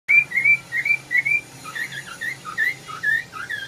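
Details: Red-whiskered bulbul gives a series of clear whistled notes, each a short slurred phrase, rising at first and then dipping and rising, repeated about twice a second against a quiet background.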